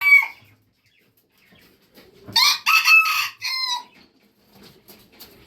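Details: Red junglefowl rooster crowing: a short harmonic note at the start, then after a pause a loud multi-part crow with a rising first syllable, steady middle and falling end, about 1.5 seconds long.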